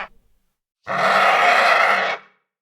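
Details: Vulture giving a single harsh, raspy squawk lasting about 1.3 seconds, broad and noisy with a steady loudness, preceded by a brief faint sound and then silence.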